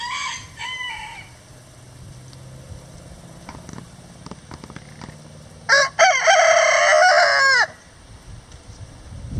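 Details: Rhode Island Red rooster free-ranging on a windy day gives a few short clucks, then one loud, hoarse crow lasting about two seconds over a quiet background.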